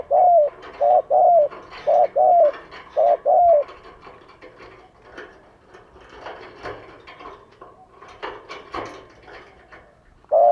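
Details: Lure calling by a spotted dove in Vietnam: three quick pairs of short and drawn-out coos, then several seconds of clattering, rustling noise, and a final coo at the end.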